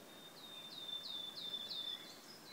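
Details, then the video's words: Wood warbler singing in June at Březinka nature monument, Náchod-Běloves, Czech Republic, 5 June 2016; a fast accelerating trill of high ticking notes on one pitch, with bright descending flourishes repeated across the phrase. "Budníček lesní (Phylloscopus sibilatrix)"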